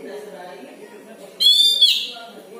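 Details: Caged Oriental magpie-robin kept at home as a songbird hobby, giving a strange sound: one loud, harsh, buzzy note about half a second long with a strong rich tone. Quieter low murmuring throughout.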